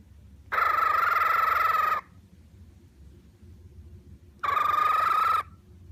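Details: A cockatiel's happy sounds: two steady, nasal, harmonic-rich calls, the first about one and a half seconds and the second about one second, separated by a quiet gap of over two seconds, with a low indoor hum between them.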